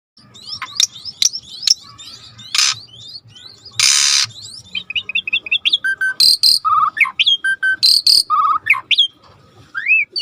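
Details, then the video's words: Asian pied starling song used as a lure to make a silent bird start singing: varied whistled phrases, rapid chattering trills, rising sweeps and several harsh, loud rasping bursts, with no other clear sounds. "tembak burung jalak suren yang macet bunyi"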